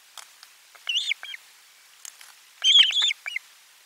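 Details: Osprey at nest camera #4 on 12 July 2022 around a lunchtime fish delivery: two bursts of sharp, high whistled cheeps with slurred, wavering notes, each followed by shorter clipped chips, against a quiet background.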